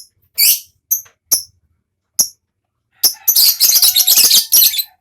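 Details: Lovebird ngekek song, played as a lure to stimulate other lovebirds: a few separate sharp high chirps, then a dense, harsh, continuous chattering burst over the last two seconds.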